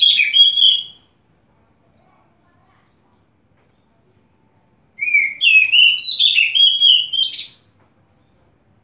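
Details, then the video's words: An Oriental magpie-robin (kacer) opening its beak in song gives two bursts of sweet, varied whistles: a short phrase, then a longer rippling run of slurred notes, with quiet in between. "burung kacer buka paruh"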